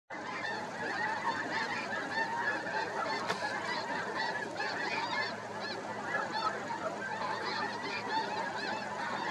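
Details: Snow geese flying over early in the morning: a dense, unbroken chorus of overlapping high nasal honks from a large flock, yelping notes layered thickly for the whole stretch.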